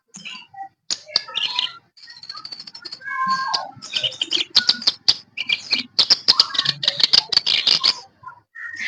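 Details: Captive kerak basi, the sooty-headed bulbul, after two weeks of ombyokan training: varied high chattering song with buzzy trills, a few lower slurred whistles, then a loud rapid burst of sharp chirps toward the end.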